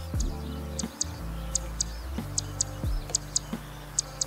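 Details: Zitting Cisticola near a river floodplain in Kasai, Kita-Harima, Hyogo, Japan, in early summer gives sharp, slightly harsh, muddy high 'jit' notes, mostly in quick pairs about every three-quarters of a second, over a steady low musical backing.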